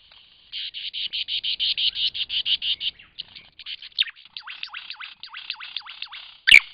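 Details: Lyrebird singing in Cape Liptrap Coastal Park: a fast series of about fifteen loud, evenly spaced buzzy pulses, followed by a string of sweeping downward whistles repeated roughly every third of a second, ending with a sharp click.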